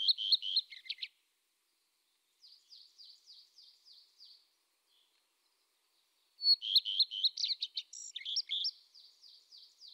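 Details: Eurasian tree sparrow chirping: clustered bright chirps, a pause with a quieter row of evenly spaced faint calls, then another lively burst of overlapping chirps.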